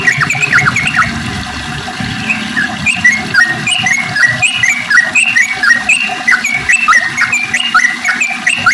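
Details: Sooty-headed bulbuls singing in the morning, used as a lure to get reluctant birds singing again: dense overlapping bubbly whistled notes, many short rising and falling phrases from several birds, with a low rumbling background.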